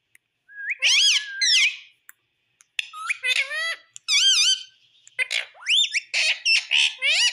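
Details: A parrot speaking in a quiet room: a handful of bursts of warbling, voice-like syllables that bend up and down in pitch, separated by short silences, with a few scratchy squawk-like notes.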